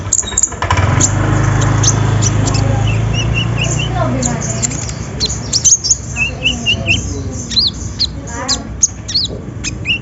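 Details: Van Hasselt's sunbird lure recording meant to prompt reluctant birds to sing: sharp high ticks and short upslurred chirps, partly in quick runs of four or five notes, over a steady low rumble and background noise.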